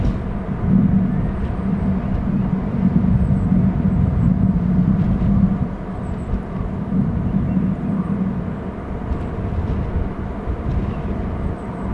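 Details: Steady low rumble like a passing vehicle or distant aircraft fills the outdoor recording, with no animal calls heard.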